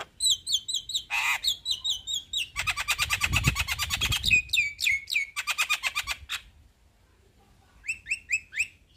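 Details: Male black-winged starling, a lively singer, delivering a long rolling song: rapid trains of sharp, repeated chirps and harsh buzzy notes, with a brief pause before more high whistled notes resume.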